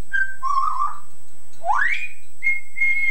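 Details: Household Yellow-naped Amazon imitating its owner's singing voice and Scouse accent, from an old tape: a level whistled note, a wavering lower tone, a fast upward-sliding whistle, then a long steady high whistle.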